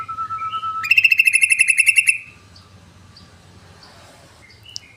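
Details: Yellow-vented bulbul used as a lure bird, singing the rapid 'ngebren' style: a steady whistled note, then a loud, fast, buzzy rattle of about a dozen pulses lasting just over a second, followed by faint scattered chirps.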